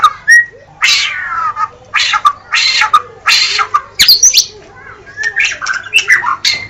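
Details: Gacor song of a White-rumped shama, dominated by loud rasping, broad churring bursts about every half second, mixed with a few sharp clicks and brief whistled fragments near the end.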